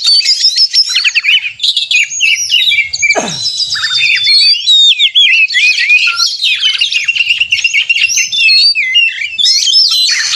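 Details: Oriental magpie-robin 'narung' song used as a provoking lure; varied whistled phrases, then a sharp downward sweep, followed by dense fast trills, twitters and clear piping notes.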